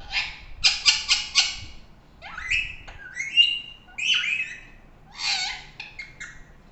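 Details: Pet talking parrot at home, calling indoors: a cluster of harsh, broadband squawks early on, followed by rising whistled and nasal calls sweeping upward, then another burst of rough squawks near the end, with quiet room background.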